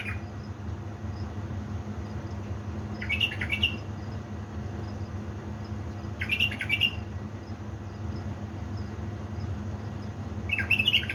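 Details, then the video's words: Pre-dawn song at 3 am from kept bulbuls of Baladrooz in Diyala, 19 August 2020: three brief clear whistled bursts with fast up-and-down notes, spaced roughly every three to four seconds, above a constant low-pitched background drone. "أجمل واحلى تغريد من طيوري علاوي نهروان من بلابل ديالى بلدروز"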